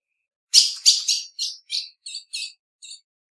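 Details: Female ultramarine grosbeak calling: a quick run of about eight sharp, high chirps, loudest at the start and fading as they go, some notes slightly doubled, heard in quiet surroundings.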